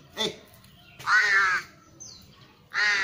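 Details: Tame young ravens being trained to come when called; harsh, raspy caws about half a second long, two clear calls with a short bright whistle between them and a brief human sound at the start.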